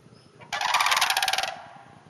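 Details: One harsh, pulsing rattle lasting about a second, from sandhill cranes in a hayfield north of the Twin Cities, with quiet field background before and after.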